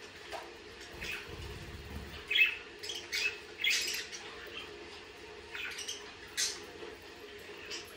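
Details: Budgerigar calling with scattered short chirps and harsh squeaky notes at irregular intervals, several loud accents near the middle, set against a quiet background hum.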